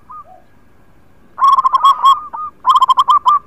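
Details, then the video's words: Local zebra dove singing, a song used to lure doves that are reluctant to sing; a few soft coos, then rapid rolling purred coos in two bursts. "Perkutut Lokal gacor Suara Indah Coco buat pancingan yg lagi malas bunyi"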